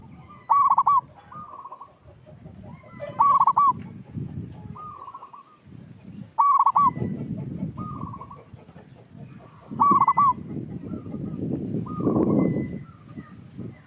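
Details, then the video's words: Local zebra dove kept as a lure bird, repeating a stuttering coo phrase about every three seconds, each loud burst followed by a softer rolling trill, over steady low rumbling background noise. "Perkutut lokal gacor suara cocok untuk pancingan"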